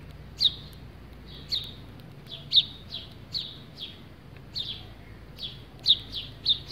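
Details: A sparrow at a terracotta water feeder and bath gives short, bright chirps while bathing, roughly two a second in an uneven rhythm, over a faint low background hum.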